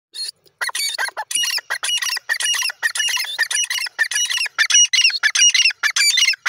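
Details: Female grey francolin (teetar) calling: a rapid series of loud, harsh, squeaky notes repeated almost without pause, with bright ringing overtones and a brief gap near the start.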